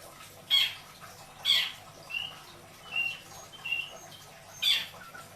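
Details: Caged long-tailed shrike kept in Indramayu, Indonesia, alternates loud harsh squawks with soft, pure whistled notes spaced about a second apart.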